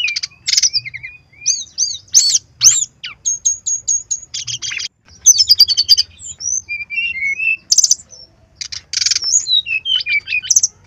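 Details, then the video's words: Brown-chested jungle flycatcher song, given as a lure to make wild birds sing, aimed at males and females in breeding condition. Dense, varied high twittering with whistled slurs, rapid repeated chips and short trills, delivered in bursts with brief pauses. "SUARA SRDC GACOR PANCINGAN SRDC BIAR BUNYI"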